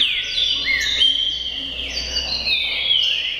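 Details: Green-winged saltator of the tricolor type, a kept bird, singing loud clear whistled phrases that slide downward and rise again, slurred notes overlapping in a flowing sequence, with faint steady background hum.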